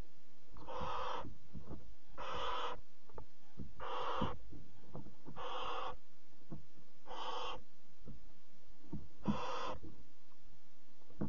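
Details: In a nest box at 03:00 on 26 July 2017, as the mother barn owl brings a bird for the chicks, six harsh, breathy hisses sound, each about half a second long, roughly every two seconds, with faint low rustling between.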